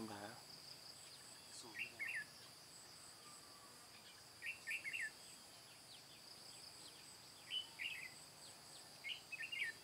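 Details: Red-whiskered bulbul, white-cheeked type, singing in the 'ché cười' style as a trapping decoy on 22 June 2018. Four short warbled phrases arrive every two to three seconds over a steady high insect drone.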